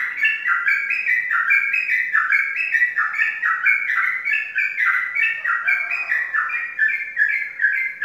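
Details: Champion contest sooty-headed bulbul kept caged in Pemalang, Indonesia, delivering a long steady chatter of clear whistled notes in descending pairs and triplets, rhythmic and nonstop for eight seconds, with a faint low hum beneath.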